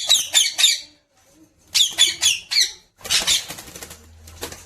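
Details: Pet talking parrot being taught to speak, giving bursts of four harsh, buzzy syllables twice in quick succession, then a rougher, noisier run of squawky notes.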